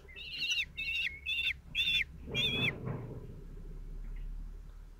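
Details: Common kestrel nestlings, four chicks 17 days old, fed by the male at their nest in Théding, France, 27 June 2023: five short, high, downward-curving squeals about twice a second, then a rustling scuffle and quiet.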